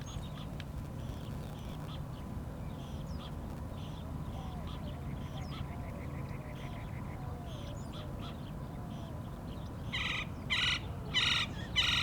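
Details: Gila woodpecker (Melanerpes uropygialis) chick giving harsh, nasal begging calls in quick bursts while being fed by a parent, seen on a morning hike, over a low background rumble.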